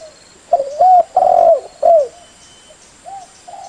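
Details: Lure call of a spotted dove (leopard-type tekukur blorok), used to make other doves respond fast: one full phrase of soft, hollow coos, a brief lead note, a sustained coo and a dropping end, followed by faint distant coos.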